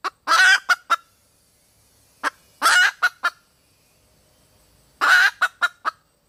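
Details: Red junglefowl hen calling for a mate: harsh, broad cackling bursts, each a long raspy note followed by two or three short clipped notes, repeated about every two and a half seconds against a quiet background.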